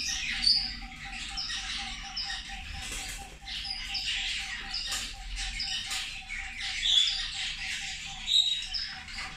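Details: Feeding zebra finches give scattered short, high chirps and squeaky notes, sparser than a full chorus, over a faint steady tonal hum.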